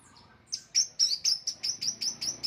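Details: Kept orange-headed thrush, favoured among bird-song hobbyists, giving a short fast series of about ten sharp high chipping notes, evenly repeated roughly every quarter second.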